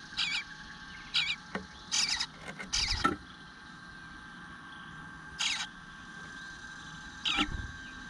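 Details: Eastern bluebird nestling in the nest begging for food, 9:10 am, 25 June 2022, left unfed a while; clusters of harsh, hissy high bursts early on, then two lone rasps after a quiet gap, with soft thumps.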